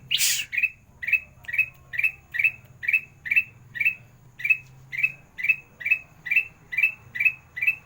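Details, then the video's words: Sooty-headed bulbul, kutilang emas, in sandang garigit style, a gacor master for birds reluctant to sing: a loud opening squawk, then a long, regular run of short, clear chirps about twice per second over a soft low hum. "Masteran kutilang emas gacor (sandang garigit) cocok untuk burung malas bunyi"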